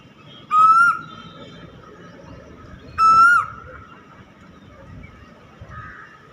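A cuckoo gives a loud, clear, slightly rising whistled note, repeated about every two and a half seconds over a low background hum.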